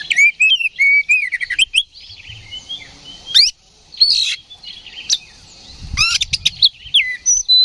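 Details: Aggressive oriental magpie-robin in open ngeplong singing, used to rouse rivals to fight: rapid varied whistles and sharp clicks, with buzzy chattering bursts in between and many repeated, quickly changing phrases.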